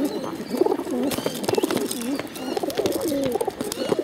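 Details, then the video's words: Hungry bottle-fed pigeons, several birds, begging with low, wavering, squeaky warbles repeated almost continuously, punctuated by sharp clicks and taps. "hungry bottle fed pigeons"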